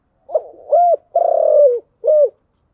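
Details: Spotted dove, thổ voice in the chiêu gù style, gives a single clean phrase: a wavering lead-in note, an arched coo, a long throbbing descending coo and a closing hoot, in silence.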